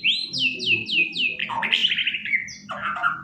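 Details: Caged white-rumped shama kept indoors, singing while perched on a sofa: a string of bright whistled notes falling in pitch, then rich warbled phrases with a fast trill, with low household hum beneath.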